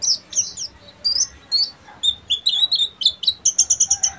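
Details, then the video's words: Oriental white-eye of buxtomi type in ngeriwik song, mixing thin high slurs and squeaks before ending in a fast, regular string of sharp repeated chips. "PLECI BUXTOMI FULL NGERIWIK"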